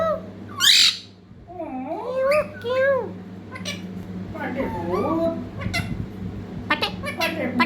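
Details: Young parrot trying to speak: a sharp high squawk, then a run of warbling, wavering, voice-like syllables that rise and fall, with scattered clicks and a steady low hum behind.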